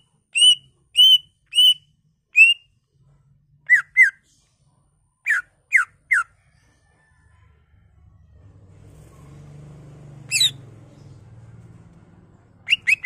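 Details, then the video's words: Greater green leafbird lure song to get other leafbirds singing, unloading its learned repertoire: a row of clear repeated whistles, then paired sharp downslurred notes, a low rumbling background noise midway, and a final flurry of chirps. "Pancingan Cucak Ijo Merangsang Cucak ijo lain"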